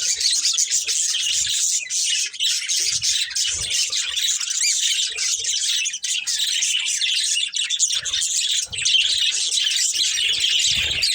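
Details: Budgerigars, a breeding pair, chirping continuously: dense, scratchy warbling chatter with rapid twittering notes and occasional squawks, steady and unbroken throughout, with faint low knocks underneath.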